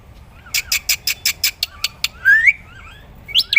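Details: Black-winged myna, a training recording for other songbirds: a series of dry clicking notes followed by a smooth rising whistle and a short squeaky upslurred phrase.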